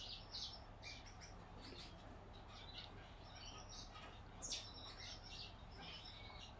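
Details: Yellow-backed Gouldian finch chick being hand-fed: bursts of high, scratchy chirps and squeaks come in irregular clusters, with a low hum throughout.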